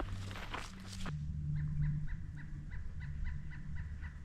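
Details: A distant pileated woodpecker calls on the Cataraqui Trail on 29 October 2024, in autumn after several frosts. It gives an even series of loud, hollow notes, about four or five a second, under wind, a low rumble, footsteps and a few lingering crickets.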